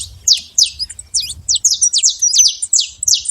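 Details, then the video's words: Saffron finch in the wild: quick, high, sharp chirps tumbling downward, delivered roughly three a second in an uneven rhythm, faint rumble below. "canário da terra livre na natureza"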